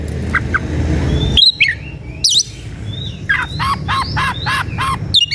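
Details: Agitated White-rumped shama (kacer) seeking a rival to fight, singing as a provoking lure for other shamas. A low rumble opens, then clear whistled upward sweeps, followed by a quick series of four or five repeated arched, ringing notes.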